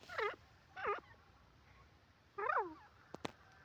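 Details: Grey francolin calling: two loud harmonic, bouncing notes about half a second apart, a pause, then a longer rising-and-falling phrase, followed by two sharp clicks.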